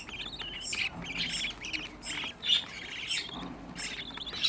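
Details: Captive budgerigar chicks, sixteen housed together at home, giving repeated chirps and squawky warbles in short phrases with brief gaps, over light rustling.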